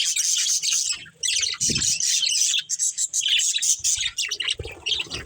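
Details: Budgerigars of a breeding pair give fast, rasping chirps and warbles in long bursts, briefly pausing after the first second, with soft low knocks.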